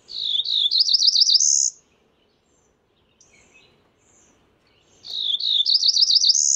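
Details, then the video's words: Cerulean warbler giving two buzzy rising songs about five seconds apart. Each song runs from slurred opening notes into fast wavering notes and finishes on a high, thin buzz. Soft chips can be heard in the pause between songs. "Cerulean warbler Calling."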